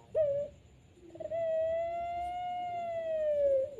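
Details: A dove (puter pelung) at night gives a short coo, then a long, drawn-out mellow coo lasting over two seconds that swells slightly and tails off, over a faint high steady hiss.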